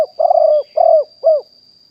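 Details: Spotted dove, fully wild, recorded live in 2021 as a lure for wild doves. Three close, throaty coos, the first two longer and rough, the last a shorter clear downslurred note, under a faint constant high hum.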